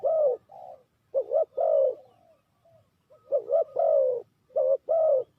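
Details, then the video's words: Spotted dove coos for luring birds into a trap: a loud drawn coo and a softer one, a pause, then bubbling paired coos and long descending notes. "Sound Of Spotted Dove is so good"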